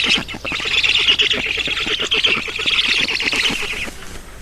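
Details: Black storks at an Estonian nest during a feeding, 11 June 2019, early afternoon: loud, hoarse squawking in a fast, unbroken run of notes that fades near the end.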